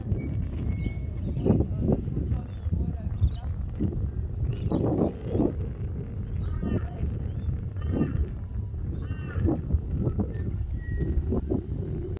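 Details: Angry gull chasing other gulls: harsh, strongly harmonic squawks and yelps in short bursts roughly every second, some drawn out and wavering, over a steady low rumble of wind.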